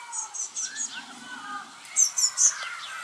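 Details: Several young Eurasian blue tits repeat high, thin chirps about twice a second in two short series, over quieter lower twittering from other birds.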